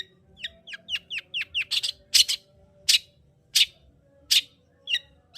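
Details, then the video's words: Long-tailed shrike song used to provoke a quiet shrike into singing: a run of quick downward-sweeping chirps, then louder harsh broadband notes spaced about a second apart, with faint low hum beneath. "Pancingan Cendet Gacor Untuk Menaikkan Emosi Cendet Malas Bunyi"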